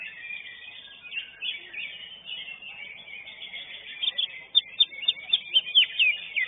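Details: Greater green leafbird at a singing contest, placed third, singing a rapid, high medley of chattering notes, ending in loud, sharp whistled phrases repeated every half second; other birds chatter faintly behind.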